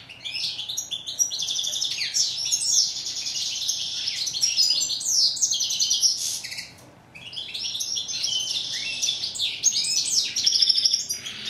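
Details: Goldfinch song, locally called steyla in Morocco: long bursts of rapid, liquid twitters and buzzy slurred notes, pausing briefly near the seventh second before resuming just as busily; a soft steady hum underlies it.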